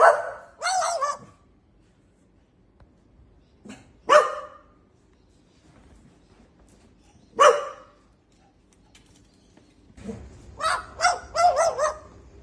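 Australian magpie mimicking a dog, giving sharp, husky bark-like notes singly and in quick clusters.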